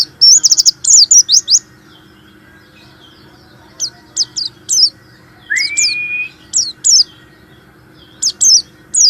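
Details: Warbling white-eye song meant to provoke silent white-eyes into singing: a fast burst of high twittering notes, then spaced sharp high chirps in small clusters, with one lower rising whistle in the middle and a low background hum.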